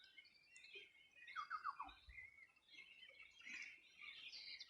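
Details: Wild birds by the Bueno River in Chile's Los Ríos Region, summer morning 2020; a few sharp descending squawk-like notes stand out over an ongoing high chirping chorus.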